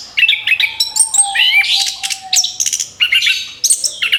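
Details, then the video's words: Orange-headed thrush singing continuously as a lure for other birds, a dense, rapid medley of sharp chirps, trills and whistled notes leaping between pitches, over a faint sustained whistle tone. "TEMBAKAN BERUNTUN SUARA ANIS KEMBANG BUAT PANCINGAN MAUT"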